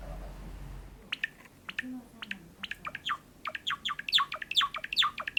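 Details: Sakura-colour Java sparrow kept as a pet, singing indoors: soft clicks build into a quickening series of sharp chirps and bell-like notes that grow louder toward the end.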